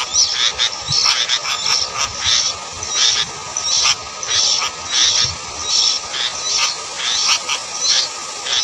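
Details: Sooty-headed bulbul chicks give harsh, hissing begging notes in quick bursts of one or two per second as a parent catches cicadas and butterflies to feed them; faint background hiss.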